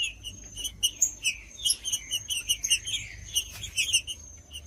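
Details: Trinca-ferro, the green-winged saltator, singing to warm up caged birds that breeders enter in tournaments: quick series of short whistled notes and chirps, somewhat faint, with low background rumble throughout.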